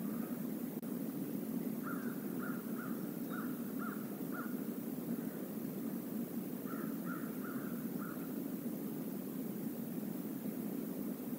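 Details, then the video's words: A flock of crows visiting the stream area near the Decorah North eagle nest, recorded on 28 November 2021: two bursts of short harsh caws, six then five in quick succession, over steady broadband stream noise. "A murder of crows visits the stream area"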